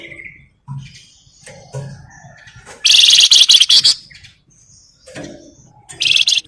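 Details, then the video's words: Actively singing grey-headed canary-flycatcher (flamboyan), played as a lure to spur other birds: faint chips and short whistles, then a loud burst of rapid buzzy pulses for about a second, and a shorter harsh burst near the end. "Pancingan Burung Flamboyan Gacor"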